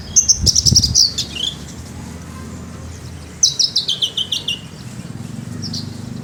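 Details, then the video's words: Javan bush lark in full song: two bursts of rapid high descending chips and whistles, each about a second long, separated by a quiet gap, with a low hum in the background. "branjangan javanica gacor dorr ngleper"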